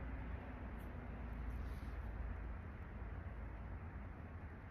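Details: Quiet low rumble like distant traffic or an engine, with a faint background hiss and no animal sounds.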